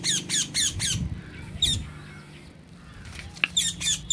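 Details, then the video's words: Parrot giving a quick run of four raspy squawks, a lone squawk after a pause, then a few more harsh notes at the end over low background rumble. "Natural Parrot sounds"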